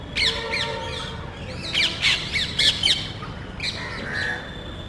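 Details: Small group of parrots visiting a residential neighbourhood in search of nest sites, checking electrical and TV cable boxes; harsh squawks in quick bursts, some overlapping, with a steady low background hum.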